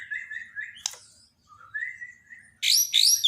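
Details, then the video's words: Borneo white-rumped shama singing as a daily tutor for a silent bird: gentle mid-pitched whistled phrases, a sharp click, smooth rising whistles, then two bursts of piercing high chattering notes. "borneo dokter burung murai mandek (Masteran harian)"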